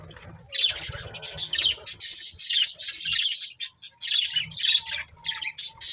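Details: Pet budgerigars keep up an almost continuous warbling chatter of raspy high chirps and squawks, with a brief lull near the middle.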